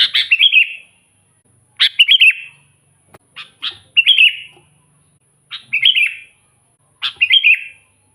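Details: Sooty-headed bulbul in active song for luring wild bulbuls; a sequence of bright bubbling phrases, each a sharp opening note followed by a short slurred warble, roughly every 1.5 seconds.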